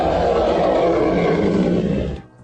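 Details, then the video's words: A shoebill gives a deep, rough, roaring growl lasting about two seconds before cutting off abruptly. "Shoebill. Oh yeah, we know what you sound like."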